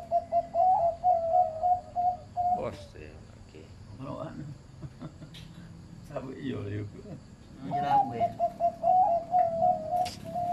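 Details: Zebra dove with a medium-pitched voice, farm-kept, cooing in rapid bubbling runs of short mid-pitched notes at the start and end, with a person talking in the middle section.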